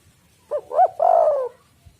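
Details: Spotted dove coo used as a lure for doves: a short arched note, a louder second, then a long sliding coo trailing downward, with faint low rumble behind.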